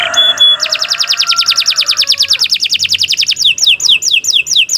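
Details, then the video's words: Canary singing for training caged birds: a long fast trill of evenly pulsed notes, then a run of clear descending whistled sweeps, with a soft lower tone fading beneath the opening. "Kicau Burung Kenari 183 II LUAR BIASA GACOR PANJANG Cocok untuk Masteran"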